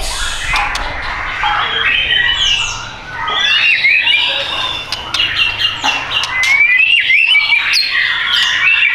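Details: White-rumped shama caged at a bird shop in South Tangerang, Indonesia, singing a long mixed sequence of harsh notes, clicks and clear rising whistles, with a brief lull near the third second.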